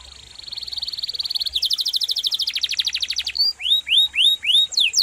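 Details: Canary tutor song for other songbirds: a soft fast trill swells into a louder, lower rolled trill, followed by a string of upsweeping whistled notes.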